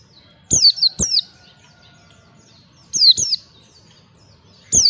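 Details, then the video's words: Lure recording of pleci (white-eye) ngalas song: paired bright whistled notes slurring steeply downward, given in bursts roughly every two seconds, clean and high-pitched over a quiet background. "pancingan pleci belajar ngalas"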